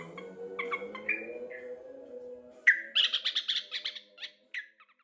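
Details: Local sooty-headed bulbul gives a few soft chirps over a low steady hum, then a sudden loud bubbly rattle of fast, chattering notes fading into a couple of short whistles.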